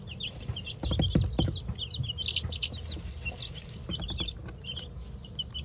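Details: Two-week-old chicks dust bathing for the first time in a chicken coop; scattered high peeps continue while loud scratching and rustling noises rise in the first two seconds, over low rumble.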